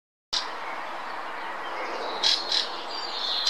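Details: Fieldfare singing in the Botanical Garden, Munich: a few short, squeaky, chattering bursts about half a second apart, against a steady rushing hiss of background noise.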